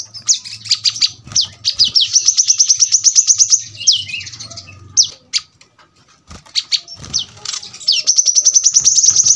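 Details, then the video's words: Brown-throated sunbird delivering 'tembakan rapat' song, close, sharp and energetic, meant for tutoring birds at home: long runs of very high, rapid ticking and sweeping notes, a brief lull midway, then another fast series; low hum in the background. "kolibri kelapa | manggar | wiceh | tembakan rapat super tajam"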